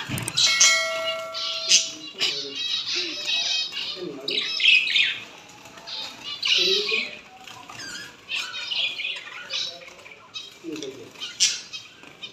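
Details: Female zebra finches, kept with new white female finches, chatter with short nasal beeps and buzzy chirps, several birds calling over one another.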